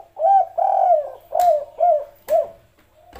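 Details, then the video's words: Spotted dove, kuk 3 style, delivering a run of rich, rounded coos: two longer swelling notes then three shorter ones, with a few faint clicks. "suara burung tekukur kuk 3 ini teryata salah satu burung paling termerdu didunia"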